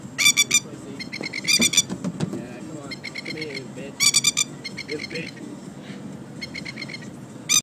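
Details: A Masked Lapwing (spur-winged plover) in fighting mode gives four outbursts of loud, harsh, rattling, strident notes in under eight seconds. Softer repeated notes and a man's low voice come between the outbursts.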